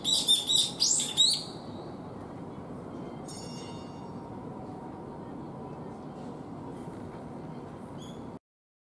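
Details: Young brown-eared bulbuls in a calling contest, active from early spring into summer, give a quick run of five harsh, shrill, squealing notes, then fainter scattered calls over steady background hiss.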